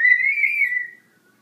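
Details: Young pet African grey parrot, a 14-week-old female chick finding her voice, gives one clear whistle that rises slightly, holds level for about a second, then fades, in a quiet indoor setting.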